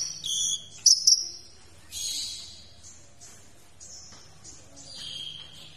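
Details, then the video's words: Olive-backed sunbird song used as a tutor recording for other cage birds: a run of very high, thin notes, with sharp chips, short buzzy trills and sweeping whistles in quick, varied phrases. "Masteran Kolibri Ninja Isian Mewah"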